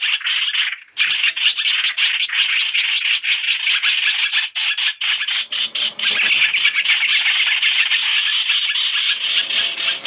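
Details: Three-in-one lure of black-throated laughingthrush for trapping: a long run of rapid, evenly pulsed rattling chatter, harsh and insistent, pausing once near the start and swelling again toward the end.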